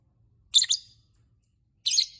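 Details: Lovebird chirping to draw other lovebirds into song: a quick double shrill chirp, then after a pause one longer, harsher buzzy screech.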